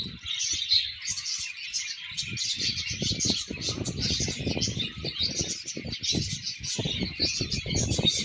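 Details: Budgerigars during pairing chatter in steady high twittering and scratchy warbles, accompanied by frequent low thumping and rustling noises.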